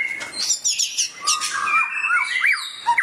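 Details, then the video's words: White-rumped shama joining in with agitated, intense song in response to a training recording; high chattering notes open, then fluid looping whistles that rise and fall, ending in a sharp upward slur. "murai langsung ikut gacor emosi mendengar masteran ini"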